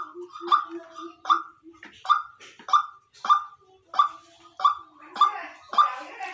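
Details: White-breasted waterhen, a decoy bird, calling: a steady series of short, hollow, mid-pitched notes repeated roughly every two-thirds of a second, with softer low clucks between them early on and slight background rustle.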